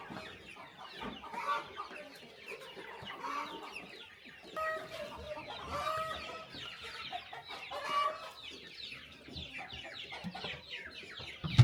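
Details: Chickens at morning feeding on a small countryside farm: soft clucks and drawn-out tonal calls from several birds, with busy overlapping chatter and occasional knocks throughout.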